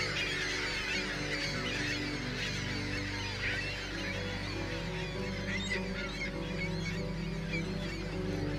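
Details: A large flock of migrating ring-billed gulls keeps up a constant overlapping chorus of harsh, mewing cries, over steady low tonal music.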